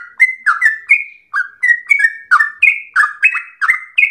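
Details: Trucukan, or sooty-headed bulbul, delivering a long ropel likened to straw-headed bulbul song; sharp, clipped whistled notes, some rising, some dropping, come in quick pairs with one brief pause.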